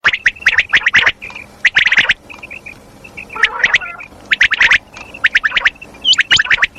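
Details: Female common quail calling, a call known locally as madi kirak: bursts of harsh, rapid raspy chatter alternating with short quieter gaps and a few thin hooked whistles, repeated several times.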